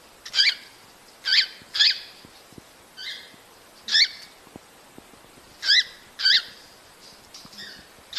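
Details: Cockatiel calling to encourage breeding: loud, clipped notes that rise and then fall, given singly or in pairs with pauses of about a second between them. The background is quiet.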